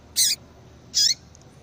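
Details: Two strong high chirps, under a second apart, from a female yellow-bellied seedeater calling so a male comes into breeding condition, then two tiny faint ticks; low hum beneath.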